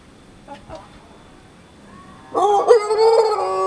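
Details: After a quiet opening with soft clucks, a young Pelung rooster sunning in Sukabumi regency, West Java, bursts into a loud, rich, sustained crow that runs to the end.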